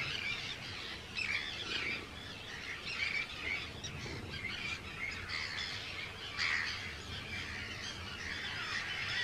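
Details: Large Arctic tern breeding colony on Rottumerplaat, the Netherlands, recorded 4 June 2023 among hundreds of birds: rasping, squawky calls repeat in waves of overlapping voices.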